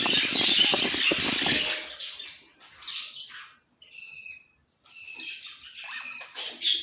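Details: Budgerigar chatter starts loud and crowded, then thins after two seconds into separate short high chirps and brief warbled phrases broken by near-silent gaps.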